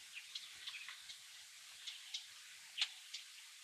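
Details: A white-headed buffalo weaver sings in short, squeaky, high-pitched chips over a soft steady hiss, recorded in Meru National Park, Kenya.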